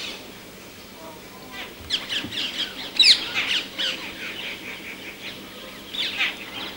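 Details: Rose-ringed Parakeet, a gregarious tropical species; a run of harsh, high squawks, some single and some in quick pairs, rising to one loud shriek midway, with softer calls around it outdoors.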